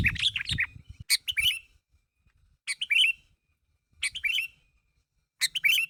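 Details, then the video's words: Sooty-headed bulbul calling so others will respond: bubbly chirped phrases roughly every one to one and a half seconds, with low rumbling noise at the start and a faint hum near the end. "Suara Burung Kutilang Gacor Memanggil Temannya Agar Bunyi"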